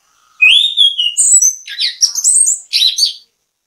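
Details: Anis kembang, the orange-headed thrush, used as a bait song to trigger others to sing: a long rising whistle followed by a quick rich run of varied high chirps and warbles, clean and loud.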